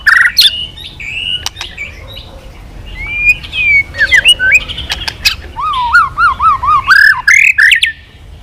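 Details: White-rumped shama singing again after silence, a varied sequence of whistles and chatters ending in a rapid wavering trill of repeated notes, with occasional clicks.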